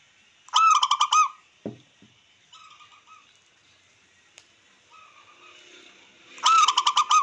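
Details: Local wild-type zebra dove song, meant to provoke rivals and increase breeding drive: a loud burst of rapid coos at the start and another at the end, with softer distant cooing and a faint knock between.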